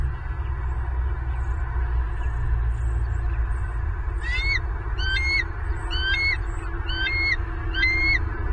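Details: Bald eagles at a nest in Southwest Florida, picked up by a live nest camera on 24 November 2022 at 11:06. A series of thin, high, slurred chirps repeats about once a second over a steady low rumble of wind or mic noise.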